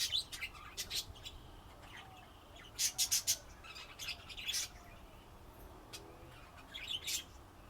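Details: Budgerigars giving scattered short, sharp high chirps in separate bursts, with a quick cluster of four clicks near the middle and quieter chatter between.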